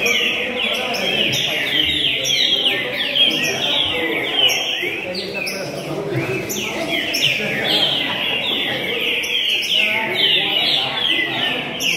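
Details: A runner-up competition green-winged saltator (trinca-ferro) in Rio de Janeiro on 26 June 2021, credited with 246 songs, sings loud, rich whistled phrases of quick downward-sliding notes almost without pause, over a murmur of background voices.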